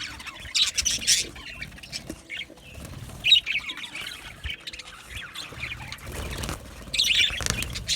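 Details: Budgie parrot chatter, Australian budgerigars chirping contentedly: overlapping high chirps and harsher squawks, loud bursts near the start, in the middle and toward the end over a steady chattering background.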